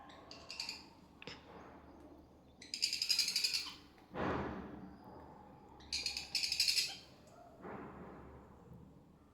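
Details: A hand-fed sun conure chick begs during feeding with rapid, raspy high chirrs in bursts of a second or two, broken by a few harsher squawks.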